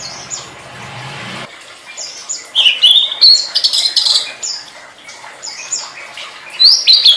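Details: Tledekan song for training songbirds opens with a low hum, then breaks into loud, high twittering phrases with quick upward and downward slurred whistles.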